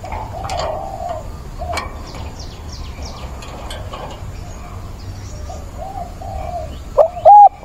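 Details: Spotted dove used as a decoy, cooing on 17/9 to attract a mate in its mature 'bổi' voice; faint distant cooing and small chirps drift through background noise before loud, clipped coo notes break in near the end.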